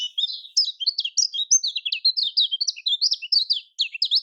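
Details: Lemon-bellied white-eye with a Lombok-style song, used to get reluctant birds singing: continuous, rapid twittering of high, sharp chirps and quick slurred whistles, tumbling without pause throughout.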